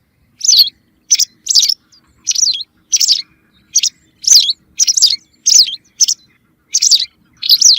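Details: Repeated white wagtail call notes meant to lure birds for hunting: crisp, high chirps with a falling twist, in a steady irregular series of singles and pairs.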